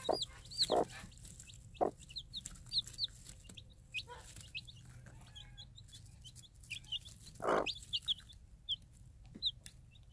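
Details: Free-range game hen mother calling her day-old Minorca cross chicks while dropping food: short low clucks repeat at irregular intervals among constant high, descending peeps from the chicks, with steady background noise.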